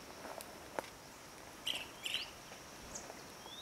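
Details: Blue-cheeked bee-eater (Merops persicus) at lunch time gives two short, rolling, mid-high chirps about half a second apart, over a steady high insect-like hiss and soft outdoor background.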